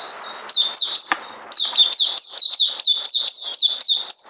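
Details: An Oriental white-eye on 9 June 2019 sings a fast, high, thin twitter of short downward-slurred notes, several each second, in a steady run with a brief pause near the start.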